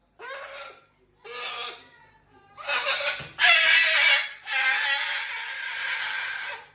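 A Moluccan cockatoo gives two short, nasal, cackling calls, then three loud, harsh, drawn-out screeches that grow raspier and fill the last four seconds.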